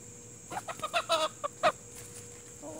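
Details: Plymouth Rock and Hamburg chickens outdoors among nature sounds: a burst of about eight sharp, harmonic clucks rising in loudness over roughly one second, ending in a louder squawk, with a faint cluck afterward and a constant high hum.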